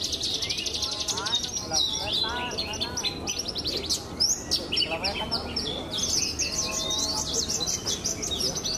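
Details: Horsfield's bush lark (Mirafra javanica), a uniquely coloured champion contest bird in Indonesia, sings a rapid, unbroken stream of high chirps, trills and sweeping whistles while faint voices murmur in the background.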